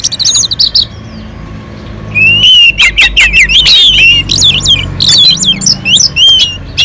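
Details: Orange-headed thrush on a mountain slope, melodious non-stop song used to lure other birds into singing: a quiet opening of high whistles, then from about two seconds a loud rush of rising and falling whistled phrases and sharp chirps.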